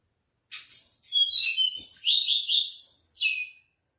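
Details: Mangrove blue flycatcher singing a three-second phrase: a soft opening note, then cascading high whistles, a run of level warbled notes and a final falling whistle, in a quiet setting.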